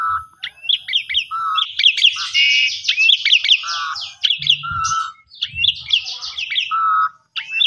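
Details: An Asian pied starling sings a loud, varied "kopi-kopiko" style lure song, mixing low mellow whistles with rapid, scratchy chattering phrases repeated in quick bursts.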